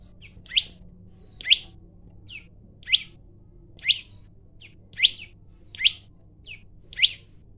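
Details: Male olive-backed tailorbird singing to challenge a rival to fight, recorded on a phone: sharp, high rising notes repeated about once a second, each paired with a short softer whistled note.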